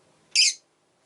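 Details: Rosy-faced lovebird, one of five caged pet birds kept beside a window, gives a single short, harsh, high chirp lasting about a quarter second, then silence.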